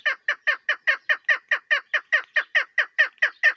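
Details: A female chukar partridge's call, used for hunting: a fast series of about seventeen harsh, clucking chuck notes, roughly five per second, steady and even, with no other sounds.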